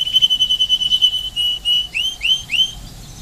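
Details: Spanish timbrado canary at Paradisi on Rhodes, Greece, holds a steady ringing whistled tone, then breaks it into short upward-curving notes repeated at a moderate pace.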